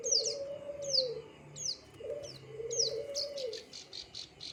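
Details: High, clear, falling chirps from a plain prinia, repeated in an uneven series and ending in a few softer buzzy notes, with low dove-like cooing in the background.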